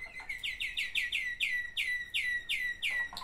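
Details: From a pair of Waterslager canary brothers: loud, bright, downward-swept chopped notes repeated roughly three times per second, evenly paced, ending with a short lower note.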